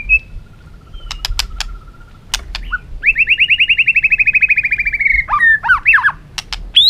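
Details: White-rumped shama singing competitively: sharp clicks, then a long rapid series of repeated notes slowly falling in pitch, followed by swooping whistles, with a low background hum.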